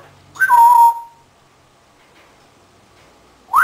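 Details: Indoor African grey parrot, 18 years old, lets out one loud whistle that steps down and trails off, followed by silence and the start of a rising whistle.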